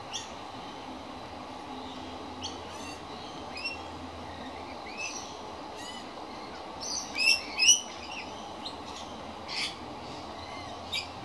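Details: Hungry young magpie calling out: scattered thin, high chirps and scratchy notes, building to a pair of louder, squealing calls near the end, then a few softer notes, with a low steady hum behind.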